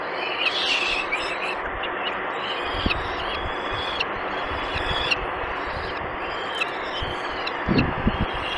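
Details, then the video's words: Peregrine falcon chicks begging while being fed at length at the nest in the Barycz Valley, Poland, on 6 May 2021: thin, high, drawn-out whining notes repeated over a steady hiss, with a few low thumps near the end. "Sokoły wędrowne Dolina Baryczy (PL) 2021.05.06 - Długo karmione, wszystkie najedzone"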